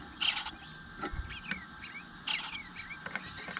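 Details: Eastern bluebird nestling begging for food at the nest, not fed for a while, 9:10 am on 25 June 2022: two harsh, raspy bursts about two seconds apart with thin chirps between, over a faint steady hum.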